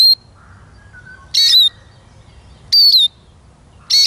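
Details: Eurasian siskin calling loudly with squeaky high notes about every one and a half seconds, each a bright burst sliding down into a whistle. Soft lower whistles sound in the pauses.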